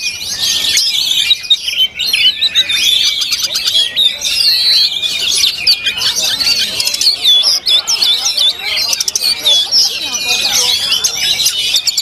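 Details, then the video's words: Oriental magpie-robin (kacer) singing at a songbird contest; dense, continuous stream of sharp whistles, rapid trills and chattery notes, high-pitched and varied, with other contest birds and faint voices mixed in. "KACER CADAZ DOUBLE WINNER ISIAN TAK DI RAGUKAN LAGI"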